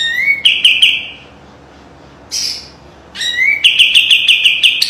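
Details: Kapas tembak white-eye master song with tight trills: an upslurred whistle into fast high chirps, a pause and a brief scratchy note, then another rising whistle and a rapid chirping run.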